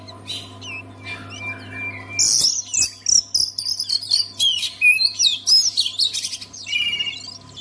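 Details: Oriental magpie-robin song to set other magpie-robins singing: soft high notes at first, then a loud, dense burst of whistles, trills and rapid chirps continuing to the end, with a low hum throughout.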